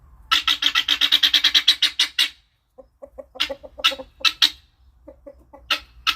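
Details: Happy guineafowl calling: a fast run of about fifteen harsh, rasping notes, then shorter scattered groups of the same grating notes after a brief pause.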